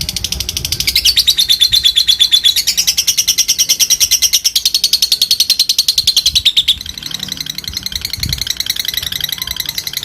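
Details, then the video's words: Calling rival birds, a fighter lovebird gives a very long ngekek, a continuous high rattling chatter of rapid, regular pulses lasting around six seconds, then shorter scratchy ticking. "Lovebird memanggil musuh ngetik dan ngekek panjang fighter, bikin semua lovebird bahan cepat bunyi"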